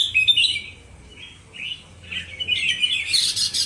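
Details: Two Indonesian red-whiskered bulbuls in a competitive singing duel, giving rapid, bright warbled phrases that rise and fall, loud bursts separated by short pauses.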